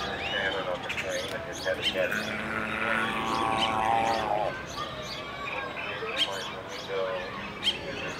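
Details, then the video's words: A 65-day-old male Dalmatian pelican chick grunts and groans with fulfillment while eating: rough, nasal grunts in quick, uneven bursts, with sharp clicks and small chirps mixed in. "Dalmatian Pelican Chick Eating and Grunting"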